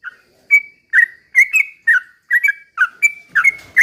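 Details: Sooty-headed bulbul singing in a lively, chatty 'ropel pelan' style, used to provoke other bulbuls into singing: short bubbly whistled notes sliding around a steady mid pitch, about two per second, with brief gaps.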